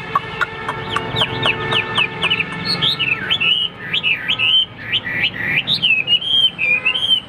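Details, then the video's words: A displaying caged Hwamei starts with harsh clipped chirps, then switches to loud, looping, wavering whistles that rise and fall continuously. "Đẹp đấu xòe chất giọng cực hay"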